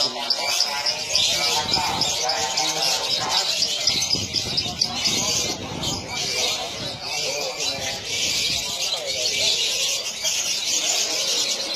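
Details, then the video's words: Lovebird singing a dense, continuous high chattering twitter of rapid buzzy notes throughout, with human voices and background noise underneath. "video lovebird paling mewah"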